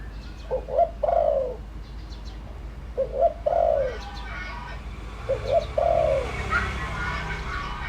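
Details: Spotted dove calling as a decoy for wild doves: three mellow phrases of short notes and a longer falling coo, followed by rustling background noise.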